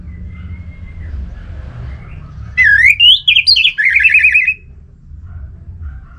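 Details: Orange-headed thrush in lure song to make other thrushes sing out: a phrase climbing through swooping whistles, then a rapid, buzzy, trilled section of repeated notes lasting about a second, with low hum throughout.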